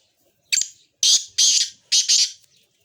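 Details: Black francolin of a Sindhi fighting strain gives a loud, harsh, grating call: one short rasping burst, then two long scratchy notes and a closing double note, all within about two seconds, against a quiet background.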